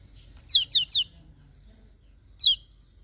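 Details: Lemon-bellied white-eye in the morning giving three quick high downslurred notes in a row, then a single matching note two seconds later, over a faint low hum.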